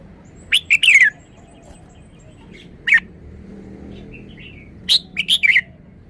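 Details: Red-whiskered bulbul showing off a sweet three-syllable song style: short bright chirped phrases near the start, a lone note around three seconds, then a quick cluster of four notes near the end; faint low engine rumble beneath.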